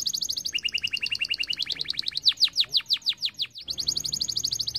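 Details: Canary song played to prompt other birds to sing: long fast trills of repeated notes, first high then lower, shifting into a slower series of loud downward-sweeping notes, then a high trill again, over faint background hiss.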